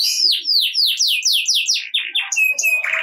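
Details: Canary singing vigorously in 'ngerek' style as a lure to get quiet canaries singing: a fast run of downward-slurred whistles about four per second, then flat whistled notes and a buzzy close.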